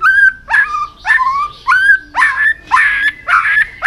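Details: White-rumped shama training song aimed at fast, varied singing: loud repeated phrases about every half second, each a rough burst over rising whistled tones with strong overtones.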